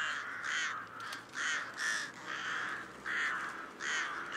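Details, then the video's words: Rook (Corvus frugilegus) gives a series of hoarse, grating caws, about six in four seconds, each a short nasal burst at a steady low-mid pitch. "Грач Corvus frugilegus"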